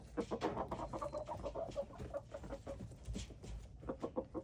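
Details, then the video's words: Red junglefowl playing, recorded February 13, 2025. Soft, low clucks repeat rapidly and unevenly, several each second, over a steady background rumble of noise. "red jungle fowl"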